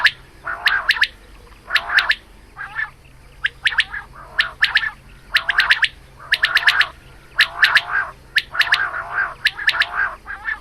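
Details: Morning calling of a female quail, recorded for hunting: regular bouts of harsh rasping notes, each capped by a quick run of three to five piercing clicks, recurring about every second above a low hum.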